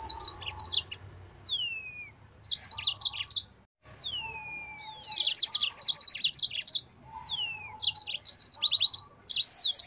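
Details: Yellow-fronted canary singing at full speed, used as a training recording for other birds: rapid bursts of high, sharp chirped notes with long falling whistled slides between phrases, over a faint low hum.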